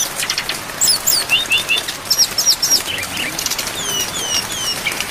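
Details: Brown-chested jungle flycatcher training song with fill-in phrases and rain: bright repeated upslurred whistles in short groups, followed by long, clear, descending whistled notes.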